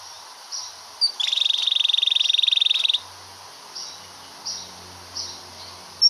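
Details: Canary long roll for song tutoring: a short burst of rapid, evenly repeated high notes lasting about two seconds, framed by scattered soft chirps and a faint low hum in the background.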